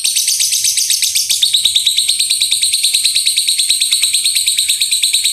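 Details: Lovebird singing in the rumbling rapid-fire style called gemuruh tembakan, used as a master recording to teach birds loud bursts: harsh, buzzy, high notes pulsing about three times a second, run together into a continuous grating rattle.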